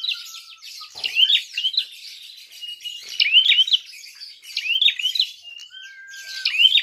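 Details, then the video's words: Prinia fighting call for provoking rival birds: scattered groups of sharp rising chirps amid busy high chatter, with a long, level lower whistle heard near the start and again near the end. "Prenjak tarung gacor!!"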